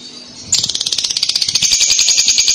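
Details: Young lovebird lure chatter: a long, fast, buzzy rattling trill of evenly repeated high notes that starts abruptly after a brief faint hiss and runs steadily to the end.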